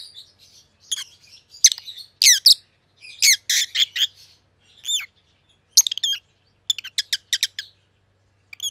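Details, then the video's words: Two pet rosy-faced lovebirds, a white-headed pallid opaline and a white-headed green opaline, give harsh, high chirps in irregular bursts, some short and sharp, others rough and buzzy, separated by brief silences. "Rosy-Faced Lovebirds - Chirping and Call Sounds"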